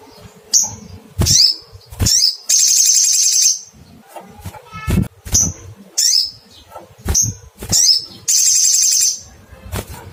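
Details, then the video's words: Crimson sunbird calling to find a rival: sharp high 'cuit' notes sliding downward, repeated roughly every half second to second, broken by two sustained buzzy trills, over faint low background noise. "Cuitt cuitt panggilan SOGON mencari lawan bikin naik emosi"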